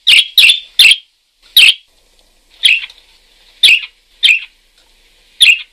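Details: Parakeet calling with rapid rasping chirps at first, then slower single chirps spaced about a second apart.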